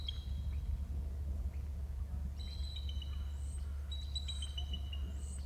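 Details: Male eagle trilling at 14:07: two bursts of high, thin whistled notes that step downward in a quick series, over a loud, steady low hum.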